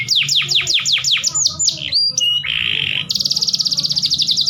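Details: Canary song meant to raise breeding urge in weak males: repeated sharp downslurred whistles, slurred held notes, a harsh rasp, then a very fast sustained high trill; low hum beneath.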